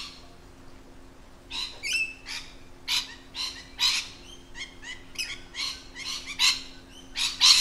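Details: Lorikeets in their natural habitat giving harsh, high screeching calls in irregular bursts about once a second, some overlapping, over a steady low hum.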